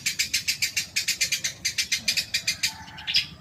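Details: Long-tailed shrike stimulus song for caged birds: a fast, even series of sharp repeated notes, about six per second, closing with a brief louder note.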